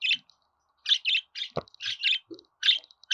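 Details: Budgerigar chirping: short, bright, scratchy notes in loose clusters of two or three, with gaps between bursts and a single low thump partway through.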